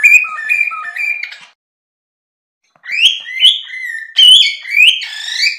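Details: Cockatiel with a see-sawing run of low-high whistles, a pause, then louder swooping, slurred whistles rising and falling in pitch.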